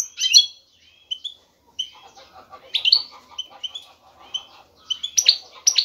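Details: Male European goldfinch calling a female to mate, with an energetic song: scattered sharp chirps and short twittering phrases separated by brief gaps, over a soft lower chatter.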